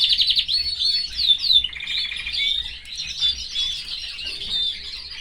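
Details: Caged canary singing among its family, a continuous rapid warbling song of trills, rolling repeated notes and high chirps, running without pause and varying in texture throughout.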